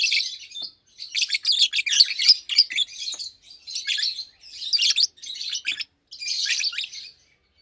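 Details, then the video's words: Fischer's lovebirds, two healthy adults nearly two years old in a cage, sing during the daytime: rapid, harsh, high-pitched chatter in grouped bursts roughly a second long, broken by short silences. "Lovebirds Chirping, Lovebirds Singing - Two Agapornis Fischeri"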